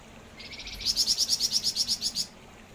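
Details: {'caption': 'Flamboyan bird in full song. Soft, thin notes lead into a rapid run of bright, high-pitched chirps, evenly spaced and loud, lasting about one and a half seconds.'}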